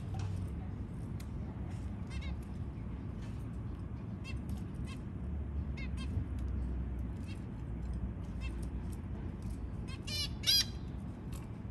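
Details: White zebra finch chicks, newly hatched, give thin, high, rapid begging squeaks in short bursts while being fed, over a low steady hum.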